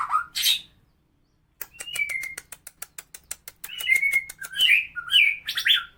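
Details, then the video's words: White-rumped shama of the Medan type in rough tutoring song for other birds: a loud harsh note, then a steady series of rapid dry clicks under thin whistles, ending in buzzy, slurred phrases. "kicau murai medan kasar abis//untuk masteran burung"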